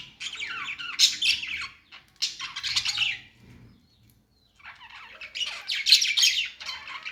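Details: Parakeet chirping in two bursts of fast, chattering warble and harsh squeaks separated by a short silence, with faint low rumbling in the gap.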